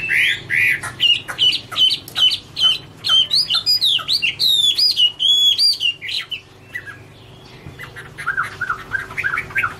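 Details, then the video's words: Chinese hwamei, Garrulax canorus, sings an autumn love song: bursts of clipped whistles and crisp repeated notes for six seconds, then a lower softer series of warbled phrases. "" Autumn Love Song " Bird Garrulax canorus Singing- Birdsong"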